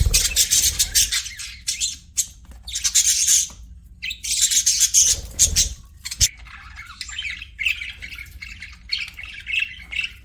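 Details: Pet budgies in a loud chattering chorus: harsh buzzy squawks in the first half, then lighter rapid warbled chirps repeating in quick short bursts.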